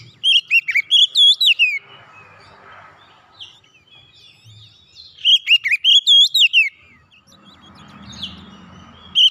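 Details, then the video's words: Oriental magpie-robin singing to get a silent bird singing again: two long bursts of rapid, loud, looping whistles, separated by a quieter stretch with soft noise. "KICAUN MENGATASI KACER MACET BUNYI KEMBALI GACOR"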